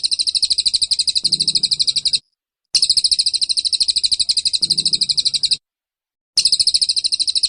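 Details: Oriental white-eye 'nembak sejalur' style song used as masteran for caged birds: repeated two-second bursts of extremely rapid, high, ringing chips, each separated by half-second silences, with a faint low murmur.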